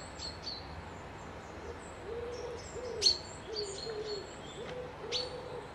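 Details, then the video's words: Near a loch outside Dundee, Scotland, a low, soft, repeated hooting or cooing phrase runs beneath occasional high thin bird chirps, with quiet background hiss. "Birds whistling"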